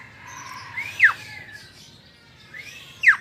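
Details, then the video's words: Jalak (starling) giving two loud whistled notes, each a quick downward-swooping slur, about two seconds apart, with softer gliding whistles between them. "Suara burung Jalak"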